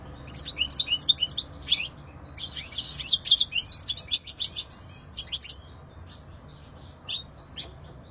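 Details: European goldfinch in full song, a fast jumble of high chirps, buzzy rasps and tinkling notes, thinning toward the end into scattered single calls.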